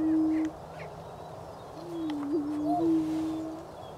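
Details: Spring booming of greater prairie-chickens in Wabaunsee County, Kansas, 2010: a short low hoot, then a pause, then a longer sustained low moaning tone with a small bump in pitch partway through, faint chirps from other birds above.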